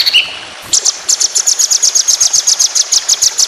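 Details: Contest white-rumped shama roll-speed phrase: a short whistled note, then a steady run of crisp, very high, evenly spaced notes, roughly five per second.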